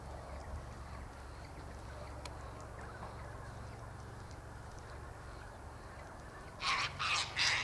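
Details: Sulphur-crested cockatoos feed on sunflower seeds, wheat and birdseed near an eastern gate in winter; after a quiet stretch of low rumble, three loud, harsh, broadband screeches burst out in quick succession at the end.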